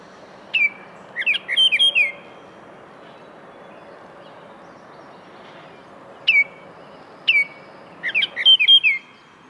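A Baltimore oriole sings rich, flutelike whistled notes in short, loud phrases, with single sharp notes between them; the background is quiet.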